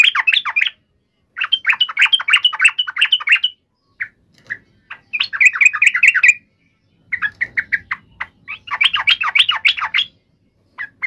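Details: Yellow-vented bulbul giving an agitated fighting call, meant to provoke other bulbuls into answering at once: bursts of rapid, bubbly, chattering notes lasting one to two seconds, separated by short pauses and a few isolated chirps.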